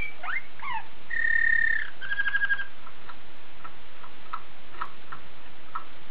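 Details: Waterslager canary of Belgian breeding sings swooping slurred notes, then a sustained rolled tour and a short bubbling trill, fading into soft scattered ticking notes.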